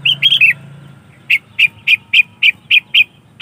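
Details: Sooty-headed bulbul sound used to lure wild bulbuls: a quick bubbly three-note warble, then eight short, bright chirps repeated about four times a second at a fairly even pace, over a faint low hum.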